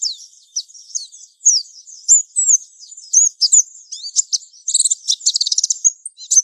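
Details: Mountain white-eye singing a lure song meant to train young birds, a continuous high twittering of slurred whistles that speeds into a dense rattling burst of clicks and chirps near the end.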